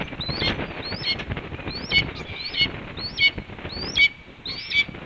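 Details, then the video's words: Red-tailed hawk female announcing her return to the nest at Cornell on an evening in May: repeated upslurred whistles with a rasping tail, about six in five seconds, over rumbling background noise. "BR Announces Her Return"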